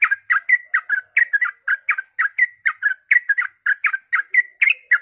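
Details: Sooty-headed bulbul in fast ropel song at dawn, to coax other bulbuls to sing: a continuous stream of mellow, slightly lower bubbling notes, roughly four per second.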